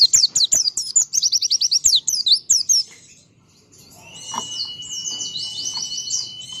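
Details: Oriental white-eye singing to draw other white-eyes into answering: a loud rapid string of high, down-slurred chirps, about two or three per second, breaking off, then softer high chattering over a thin steady tone.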